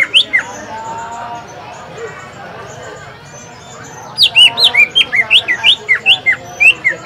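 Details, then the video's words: Green leafbird singing at a bird practice contest at Lapangan Semparuk, used to provoke other birds to sing; a few whistles, a quieter stretch with people talking, then a fast series of loud, sharp slurred whistled notes. "Pancingan Suara Cucak Ijo"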